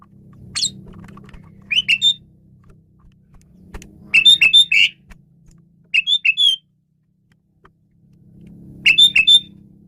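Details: Asian pied starling giving short clipped phrases of three or four quick squeaky notes, repeated every two seconds or so, over a low background hum.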